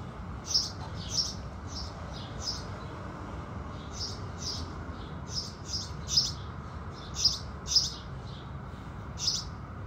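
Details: House sparrows singing at sunrise, giving about a dozen sharp, high chirps in loose, irregular bursts with short gaps between, over a faint low background hum.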